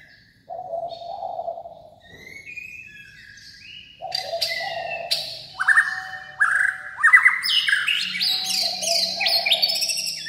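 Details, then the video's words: A white-rumped shama sings a rich, varied song of low fluting whistles and bright, rising phrases, building into fast overlapping notes and sharp chips. "CHÒE LỬA HÓT KÍCH NỔI NHIỀU DỌNG"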